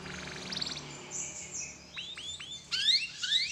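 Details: Canary singing, used as a lure to set other canaries singing: faint high trills, then a series of falling whistled notes and bright chirpy phrases over a steady background hiss.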